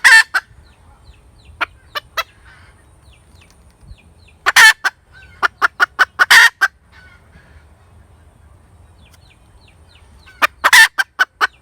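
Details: Cackling hen, heard in scattered bursts: loud harsh squawks followed by quick runs of short clucks, separated by long near-silent gaps with faint low rumble.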